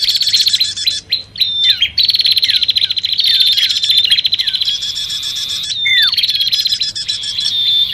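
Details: Bar-winged prinia lure recording mixed with common iora calls for attracting both birds: dense, buzzy high chattering runs with short whistled notes and a few down-slurred whistles, all layered continuously.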